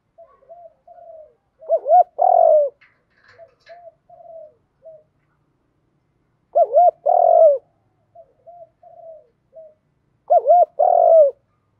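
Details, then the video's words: Spotted dove delivering 'Thúc Đấu' calls intended to excite a freshly caught dove into calling. Three similar phrases, roughly every four and a half seconds: soft murmured coos building to two loud, rolling coos, then quieter trailing notes. "Tiếng chim cu gáy Thúc Đấu gáy gọi kích bổi cực nhạy"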